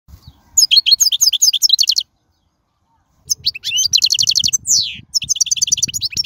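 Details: Wild European goldfinch song, used for teaching young birds: two bursts of rapid, tinkling high twittered notes separated by a silent gap, with faint low rumble beneath.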